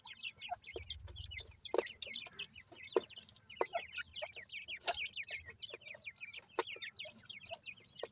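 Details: Young francolin chicks among their family: constant high, sharply falling peeps from several birds, with frequent sharp clicks and taps mixed in.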